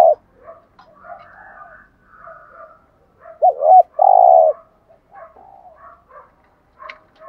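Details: Spotted dove giving a structured 'gù thúc' cooing routine, a fine-voiced bird meant to set decoy doves cooing; faint soft coos first, then a loud two-part coo with a bent opening note and a long, steady, low hooting note.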